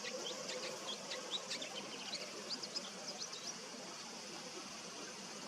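A male bull-headed shrike murmurs a soft, rambling subsong of thin high chirps and twitters, uneven in pace, over a steady background hiss.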